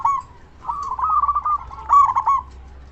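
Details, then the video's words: Loud local zebra dove used for luring and provoking other doves to answer. A brief, faint coo is followed by a long bubbling trill and a louder stuttering phrase. "Perkutut Lokal Gacor SUARA BESAR Ahlinya Bikin Semua Burung Perkutut Langsung Nyaut"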